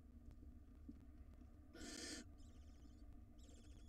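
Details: Nest-box recording of wild barn owls: a father casting a pellet, then settling back down as a nestling gulps a rodent. A loud rasping hiss of about half a second gives way to two bursts of rapid, high, stuttering chittering over a constant low drone.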